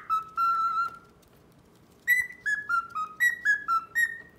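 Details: Male pet cockatiel courting a female who keeps ignoring him: two long clear whistles, then after a short silence a run of about eight brisk whistled notes, each sliding down slightly, with rich overtones.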